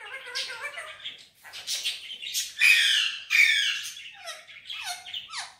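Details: Green Indian ringneck parakeet, said to talk and whistle in Urdu/Hindi, mixes scratchy chatter and two loud harsh squawks, followed by several short, clear whistled notes sliding downward.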